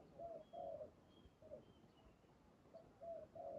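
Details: Spotted dove heard while being trapped with a decoy: low mellow coos in paired and triple notes, several phrases in under four seconds, with faint high thin whistles of another bird behind.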